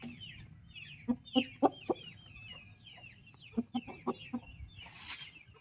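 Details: Turkey chicks beside their mother keep up rapid, high falling peeps while several short, loud, low clucks sound in two clusters, followed by a brief rustling hiss at the end.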